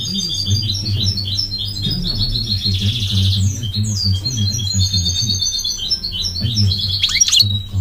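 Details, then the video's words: Goldfinch singing in a steady stream of tinkling high chirps and short whistled notes, including a fast buzzy trill, with a loud low hum underneath. "The elegant migratory goldfinch sings the most beautiful singing"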